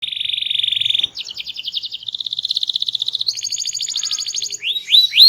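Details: Small-bodied canary singing loudly and melodiously with variety: a fast buzzy trill near one pitch, then rapid repeated notes, a higher rattling trill, and rising upswept whistles at the end.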